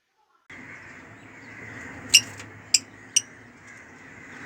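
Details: African lovebirds, male and female: three sharp, harsh screeching chirps spaced about half a second apart in the latter half, over a steady low hum and hiss.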